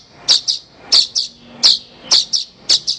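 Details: Horsfield's bush lark master recording for training other songbirds: sharp, high paired chirps repeated roughly every half second, each pair a loud note followed by a softer echo, over a quiet background.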